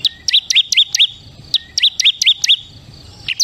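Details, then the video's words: Ciblek kristal, a Bar-winged Prinia, calls in bright, sharp chirps grouped in runs of four or five, each note dropping quickly in pitch, with short pauses between the groups. "SUARA CIBLEK KRISTAL PALING GACOR"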